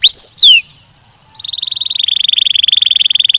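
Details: Canary song: a few sharp high sweeping notes, a brief pause, then a steady rapid trill of fast repeated pulses that holds one pitch and grows slightly louder.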